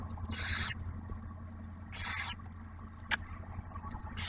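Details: Barn owl at a nest camera at Ottawa National Wildlife Refuge near Oak Harbor, Ohio, as the male delivers food and the female shares a meal with the first hatched owlet; three breathy hissing bursts over a steady low hum.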